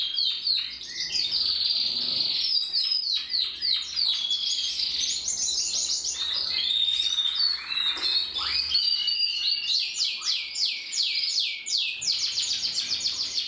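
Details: Several canaries singing: a long, unbroken song of rapid high trills, rolls and chattering phrases that shift in pitch without pause.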